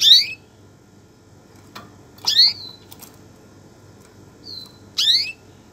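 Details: Canary producing short harmonic chirps that sweep upward, three in about five seconds, with a soft thin whistle and a few clicks between them against a low background murmur.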